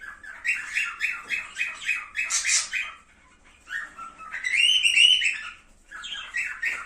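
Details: Cockatiel sounds meant to stimulate mating: quick pulsed chirps in a steady run, a short pause, then a louder warbled phrase with a rising whistled note and more chirps.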